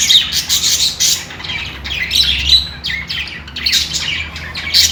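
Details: Chirping budgerigars: rapid, grating notes and brief whistled pips, delivered in uneven bursts roughly every second, with a low background hum.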